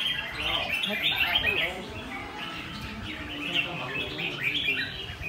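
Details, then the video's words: Red-whiskered bulbul giving "ché" style song: a busy stream of sharp high chirps and slurred whistles, with a voice briefly audible underneath early on. "Siêu ché đã trở lại. Chào mào chơi căng"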